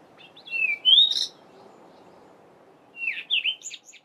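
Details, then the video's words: Cape robin-chat giving its normal dawn chorus song in a garden during mid-winter July: two clear phrases of rich, slurred whistles that rise and then break into rapid, higher twittering notes, about two seconds apart. "Cape Robin-chat's two different songs"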